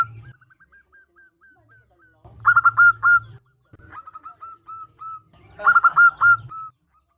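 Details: A female zebra dove calls to attract a male. A faint string of quick, level notes leads into two louder bursts of rolling, stuttered cooing about three seconds apart, each trailing into softer notes.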